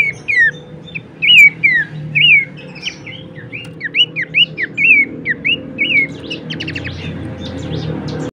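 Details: Bush warbler song for 'masteran' tutoring of songbirds, a lively string of slurred, down-swept whistles and twisting chirps delivered rapidly, ending in a buzzy, rattling high phrase.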